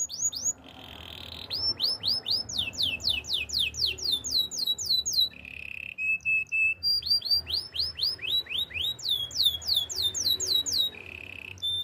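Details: Canary song used to train canaries: long chains of rapid high swooping whistles at about four per second, interrupted by short low buzzy trills, with faint scattered pips in between.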